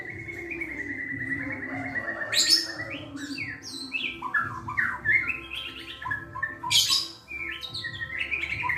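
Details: Hand-raised caged white-rumped shama singing its sweet, melodious song: a long steady whistle, then a rich varied run of slurred, rising and falling whistled phrases and sharp high notes.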